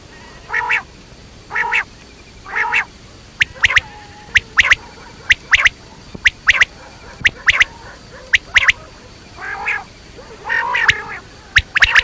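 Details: Quail, batair, giving harsh nasal buzzy calls mixed with sharp clicking double notes, irregular bursts alternating over twelve seconds, fairly loud and close.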